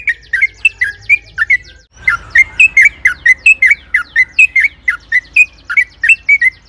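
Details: Sooty-headed bulbul singing as a lure to provoke other bulbuls: a long, continuous run of loud chirpy notes around two to four kilohertz, about one every third of a second after a short pause, over a faint low hum.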